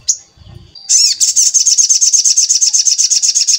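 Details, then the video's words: ['Sogon song used as a lure to make other sogon sing and draw them near: a thin high whistle, then a fast dry trill of even repeated notes, about three per second, sustained to the end.'] "Pancingan Sogon Agar Bunyi, 100% Sogon mu Langsung Nyaut"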